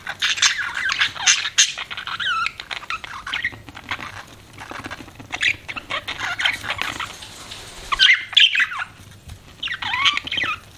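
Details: Chirping pet budgies: continuous raspy warbling chatter mixed with sliding whistled notes, rising and falling in bursts throughout.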